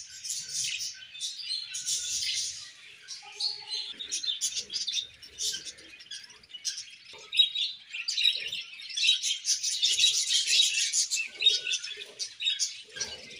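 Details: A group of happy budgerigars keeps up lively warbling, with dense high, scratchy chirps rising and falling in bursts, the busiest chatter near the end, and a few soft low notes.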